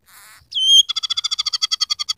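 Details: Scaly-breasted munia song filled with harsh canary phrases: a brief buzzy note and a sustained whistle, then a fast, harsh rattling trill of evenly spaced pulses.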